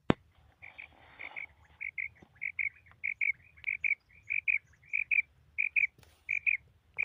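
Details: A female common quail, tagged as a Pakistani bird, gives soft, high paired notes repeated steadily about every half second, with a faint low rumble behind.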